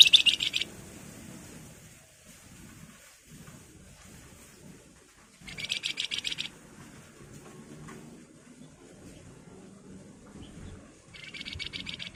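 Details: Javan fulvetta (wergan jawa), its song described with the local style names nyiul, nyuling and ngebren: three separate short bursts of high, fast buzzy chatter, spread over several seconds with quiet gaps and faint low background noise.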